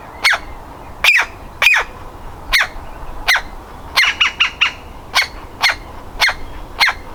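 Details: Woodpecker chick on the verge of leaving its nest hole, repeating coarse, grating calls, with a short rapid burst of four quicker notes in the middle of the run.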